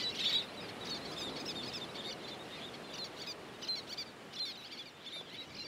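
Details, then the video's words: Beach nesting colony of Least terns, a loud sharp call opening, then fainter scattered high chattering over a soft hiss of surf. "Hectic Life in the Least Tern Colony - Baby, Juveniles, and Adults"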